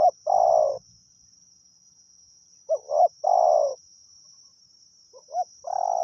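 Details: Thai decoy luring of a wild spotted dove. Mellow low coos come in phrases: a brief double note followed by a longer, gently falling coo, three phrases in six seconds. A continuous thin high tone sits in the background.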